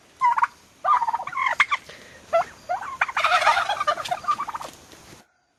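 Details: Young turkeys close by, almost six months old, uttering a quick sequence of rattling, nasal gobble-like calls that build into a dense overlapping chorus before stopping abruptly.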